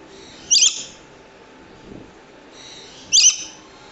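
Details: Swainson's lorikeet screeching twice, each call a short harsh high squawk, spaced about two and a half seconds apart, with quiet background between.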